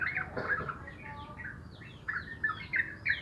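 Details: Sooty-headed bulbul in the morning giving short, rich chirps and slurred whistled notes in small bursts, separated by brief pauses, with faint twittering behind.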